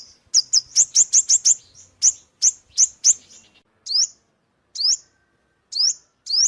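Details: Quick bursts of sharp, high chip notes from an ornate sunbird, then single rising whistled notes spaced about a second apart.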